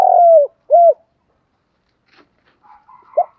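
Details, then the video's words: Spotted dove coos used to provoke male and female doves: two loud, smooth, arched coos early on, then quiet gap with faint chirps and a short final coo note. "cu gay thuc gay goi cu dat gay"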